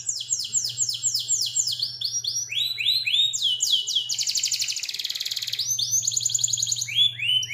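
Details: Canary master song for training cage birds: quick series of rising slurred notes, a dense buzzing roll in the middle, then more repeated sweeps, loud and clear over a faint low hum.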